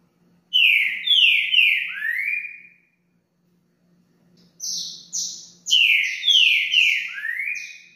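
A Green-winged Saltator sings loud, clear whistled notes that slide downward, grouped in short phrases.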